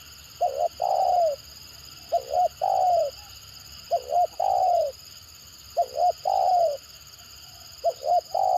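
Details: Stuttering 'gagap' spotted dove: each phrase opens with two or three quick clipped coos followed by a longer drawn-out falling coo. The phrase repeats about every two seconds against a constant high whine.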